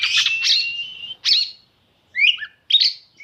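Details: Oriental magpie-robin song meant to provoke other birds of its kind; a long clear rising whistle breaks into buzzy notes, followed after short silences by scratchy, tumbling whistled phrases.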